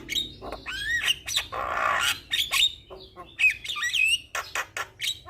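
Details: Javan myna singing to rouse a stressed myna: rising and wavering whistles, a broad harsh buzz, then a zigzag whistled phrase and sharp clicks.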